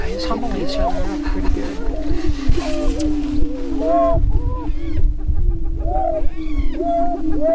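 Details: Greater prairie-chickens in their annual spring mating dance, northwest Minnesota, April 2013: continuous low drone, bursts of chattering cackles and looping whoops, with gusty wind buffeting throughout.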